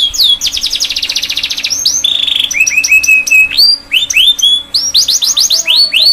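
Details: Young canary singing a fast, varied song of rapid trills, buzzy rolls and repeated rising whistled notes, all high-pitched and continuous; a master recording for young canaries learning song.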